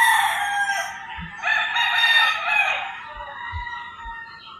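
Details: Early-morning rooster crowing in rural Philippines, a loud drawn-out harsh crow with stacked harmonics lasting over a second, following a fading earlier crow, with smaller birds singing behind and a few low thumps.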